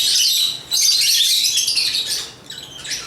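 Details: African lovebird squawks and chirps pour out rapidly, harsh and high, a long loud burst that fades toward the end.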